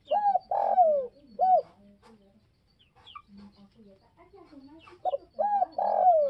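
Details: Spotted dove giving its provoking call: two phrases of rhythmic short coos and a long falling coo. Softer, deeper coos from other doves answer in between.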